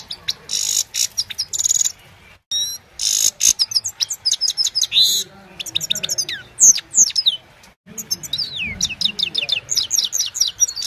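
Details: A Himalayan goldfinch sings in the evening, recorded with a mobile phone: buzzy wheezing bursts alternate with fast tinkling twitters and swooping slurred notes, with brief abrupt silences between phrases.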